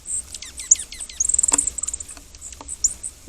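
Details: An off-camera Dark-eyed Junco, a winter resident, at a backyard deck feeder at dawn during January 2026's Winter Storm Fern snowfall in the eastern US, gives about six very high, sharply down-sweeping laser-gun chirps, then a brief high twitter and clicks.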